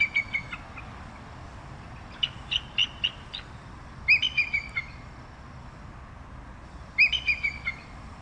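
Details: Bald eagle giving high, thin piping calls in short descending runs of squeaky notes, each run lasting under a second and repeated every few seconds, with faint background hiss.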